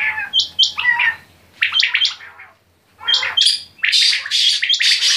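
Quail give bursts of sharp, high chirping notes in quick clusters, each burst lasting under a second with brief pauses between.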